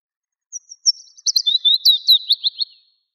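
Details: In Kuusamo, Finland, in May 1999, a Willow Warbler gives a soft, high, sweet phrase of about a dozen quick notes that slide gently downward in pitch and fade at the end. No other sounds intrude.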